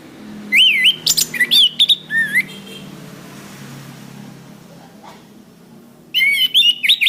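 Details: Orange-headed thrush singing on a master recording for cage-bird training: rapid wavering whistles and sharp chips, then a pause of about three seconds before another burst of warbled notes.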